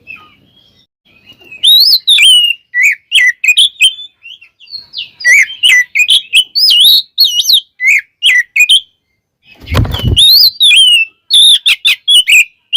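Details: Oriental magpie-robin (kacer) in rich, busy song used to provoke others into singing: dense strings of sweet whistles and twittering phrases, with a brief loud rustling noise midway.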